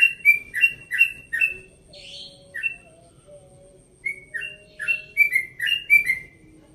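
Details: At dawn, a one-and-a-half-year-old yellow-vented bulbul from Bekasi sings in relaxed tone: several quick falling whistles, a brief rasp, scattered notes, then another fast run of repeated whistled phrases.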